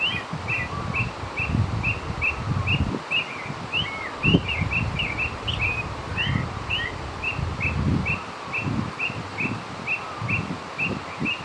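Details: Northern oriole singing outdoors: a long run of short whistled notes repeated about twice a second, mixed with a few warbled rising phrases, over steady low rumbling background noise.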